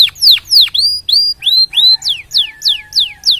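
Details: Loud, close canary song intended to make other canaries sing: clear downslurred whistles, a steady held note, rising whistled upslurs, then repeated falling notes at an even pace over a faint low tone.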